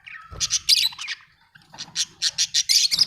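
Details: Budgie chirping: bursts of bright, buzzy chatter high in pitch, a short run, a pause, then a quicker string of clipped chirps.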